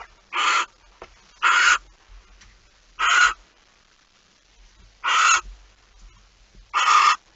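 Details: Rasping barn owl hisses from a nest at 05:14 on 26 August 2019, when the night's second mouse arrives; five short, harsh, wide-band bursts spaced irregularly, one to two seconds apart, with faint knocks between.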